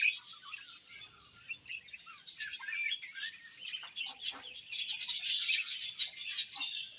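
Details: Budgerigars chirping while eating: dense, busy high twittering and warbling chatter, with brief sharp chirps building in intensity toward the end.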